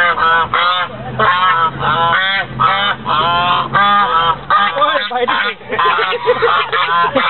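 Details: White geese at Lake Elizabeth in Fremont, California, recorded on 24 November 2013: a flock gives loud, nasal, overlapping honks in quick runs, several birds calling at once with barely a pause, and a low steady hum underneath.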